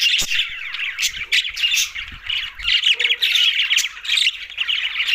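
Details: Green budgerigars at mealtime in Larkana, Sindh, chattering loudly with quick squawks and warbled chirps in pulsing bursts, with some low knocks in the background.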